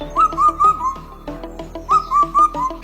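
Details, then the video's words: An Indian cuckoo gives its four-note whistled phrase, the last note falling, twice about two seconds apart, over background music. "This is a fournote cuckoo. Its call sounds like this."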